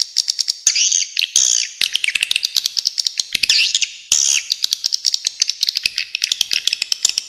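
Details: Shrill swiftlet twitters in short phrases, backed by an almost metronomic series of sharp clicks running throughout.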